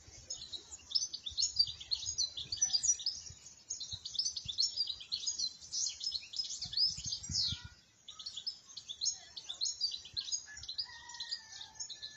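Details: European goldfinch singing in the wild in Moroccan countryside: a dense, rapid, high-pitched twittering of tinkling notes and buzzy trills, nearly continuous with a short pause near eight seconds, then a few thinner whistled notes.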